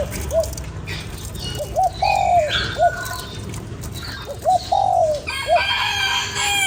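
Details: ['Cooing spotted dove used to stir up a lure bird: two three-note phrases, each a short coo, a long slurred descending coo and a brief closing note, with chirping small birds in the background.']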